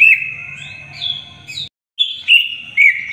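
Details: Greater green leafbird singing for young birds to learn: long steady whistled tones with small upward flicks, a brief pause, then sharp clear whistles with quick inflections.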